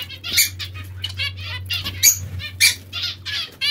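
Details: Zebra finches or Bengalese finches during their bath, caged. Clear stacked nasal beeps come in irregular bursts, several loud peaks among softer chatter, with a constant low hum underneath.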